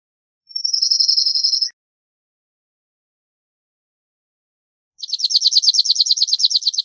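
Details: Cirl bunting (Emberiza cirlus) singing: a thin, buzzy, fast rattle lasting about a second, then, after three seconds of silence, a louder and broader dry trill of about fifteen rapid repeated notes. The background is clean.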